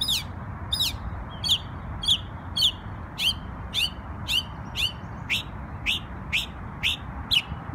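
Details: A New York bird on Memorial Day delivers a steady series of sharp, downward-sweeping chirps, about two per second, fourteen in a row, against a constant low background hum.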